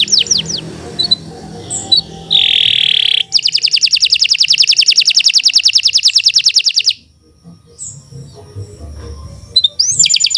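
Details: Canary song of the Kenari Nusantara type, a long continuous performance used as master song for training: rapid trilled buzzy rolls high in pitch, a harsh nasal note, then a pause with faint room noise and brief chirps.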